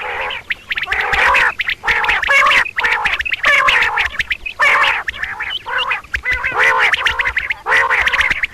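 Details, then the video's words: Double calls of a female common quail, known locally as Batair: a steady run of harsh, nasal, quacking notes in close clusters, roughly one cluster per second, loud and dominant throughout. "CALL COMMON QUAIL (Coturnix coturnix) Double Batair ki Boli, Batair Ki double Awazay, Female sounds"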